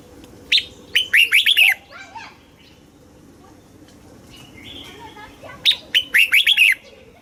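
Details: Caged red-whiskered bulbul in Thailand singing a southern-style master song used to excite caged birds and teach young birds: two bursts of bright, warbled, rising and falling whistled notes about five seconds apart, with quiet background noise.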